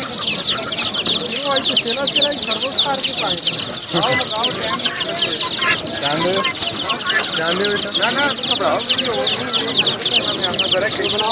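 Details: A flock of chicks keeps up constant high-pitched cheeping, countless brief arched notes piling over one another throughout, along with scattered lower clucks and rustling.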